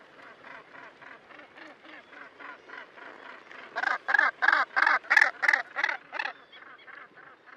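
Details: Gannets at Bempton Cliffs, Flamborough, at 13:00 on 12 June 2016, giving harsh grating calls repeated about three times a second, growing louder mid-sequence and then fading back.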